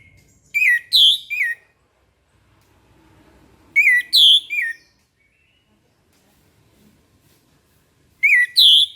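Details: Orange-headed thrush heard in the morning singing three loud, clear whistled phrases about four seconds apart, each three slurred notes rising then dropping, with faint low background noise between them.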